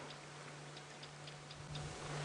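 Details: A male Chinspot Batis calling from the edge of a flowering knob thorn tree in early spring, a call heard as a bit of an alarm: faint, high, dry chip notes about four times a second, over a steady low engine hum.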